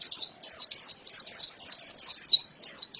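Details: Clean white-eye song with no background: high, sweet down-slurred notes in small clusters, roughly three groups per second.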